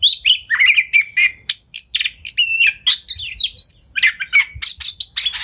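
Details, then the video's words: Fast, tightly packed song from an Oriental magpie-robin spreading its tail, used as a lure so other magpie-robins answer; mixed falling whistles, scratchy chatter and looping high notes come in quick bursts. "Pancingan Kacer Gacor Speed Rapat Buka Ekor! Buat Kacer Lain Auto Nyaut"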